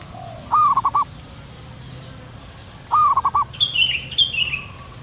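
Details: Wild local zebra dove giving its soft call: two rolling coo phrases near one second and three seconds, each a long note then quick stuttering pulses, with high chirps from another bird and a steady high hiss behind.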